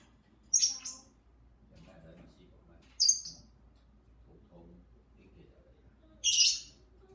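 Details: Pair of pet lovebirds chattering with their owner inside: three separate shrill chirps spaced a few seconds apart over a quiet room with faint talking.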